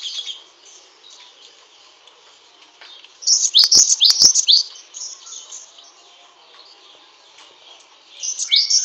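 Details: A great tit (Parus cinereus), kept as a master songbird, gives high, bright bursts of quick chirping chatter with strong breath: a phrase of about one and a half seconds, another starting near its end, and two sharp clicks.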